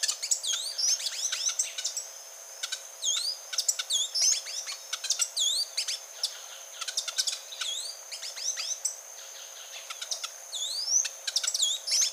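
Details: Grey-and-gold tanager voice: steady streams of high, clipped chirps and short downward-sweeping whistles, repeated rapidly in clusters with brief gaps, several calls overlapping throughout.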